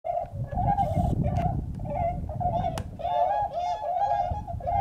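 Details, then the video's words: Bewick's swans at Beuven on 18 December 2011: a steady chorus of soft, nasal, hooting calls from many birds, overlapping almost continuously, over a low rumble of wind. "Kleine Zwanen (Cygnus bewickii, Bewick's Swan)"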